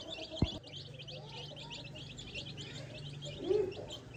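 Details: Tiny baby chicks on a farm, foraging in grass without their mother hen, give a dense chorus of high, short peeps, with a low steady hum underneath and a sharp knock near the start.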